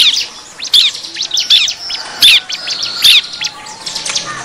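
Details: Bar-winged prinia, noisy 'ribut' lure recording used to attract wild birds: dense, high, sharp chirps and short twittering phrases overlap irregularly, with louder chip bursts near the second and third seconds.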